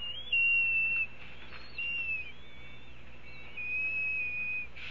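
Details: Red-tailed hawk at a nest at Cornell, recorded 9:25 am on 6.04.14 as an adult male delivers a pigeon for breakfast to a young hawk. Thin, high whistled notes, some level and some gently rising, repeat with short gaps.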